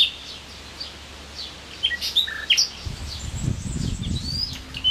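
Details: Common nightingale singing at full volume by the Jerte river at Plasencia: a varied run of sharp whistles, quick chirps and rising notes over low rushing water or wind noise.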